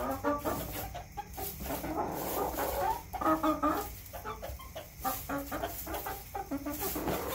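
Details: Backyard hens clucking loudly and continuously, with harmonic, slightly nasal notes in quick uneven bursts and a few drawn-out warbling calls, set against faint background rumble.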